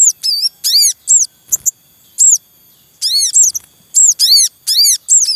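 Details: Javan munia male calling in the wild beside its nest of chicks: rapid series of loud, high, arched squeaky cuit notes, often in pairs or triplets, crowding the clip with busy chattering.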